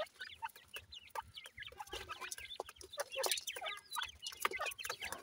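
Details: Grey francolin chicks, Sindhi gora teetar, feeding: a dense chorus of short, high, overlapping peeps and chirps, some rising, others falling, with brief louder bursts throughout.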